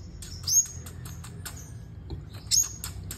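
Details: A sunbird singing in competition gives two very high, thin, slightly rising whistled notes about two seconds apart, among sharp dry ticking clicks over a low background hum.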